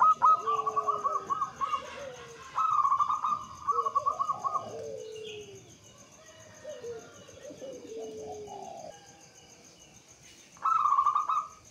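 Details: Local zebra dove from Java singing a lure song to get other doves singing: rolling trilled coo phrases at start and end, interleaved with lower gliding descending coos from a second dove.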